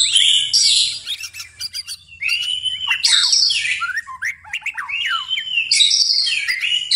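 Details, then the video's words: Night-time singing by a white-rumped shama, with bursts of loud, rich, buzzy phrases and clear sliding whistles recurring every couple of seconds, between quieter chips and clicks. "murai batu tetap gacor di malam hari"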